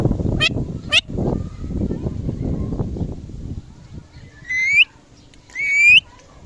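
Rose-ringed parakeet: two sharp, high screeches, then two longer rising, wavering, voice-like calls about a second apart. Busy rumbling background noise through the first half.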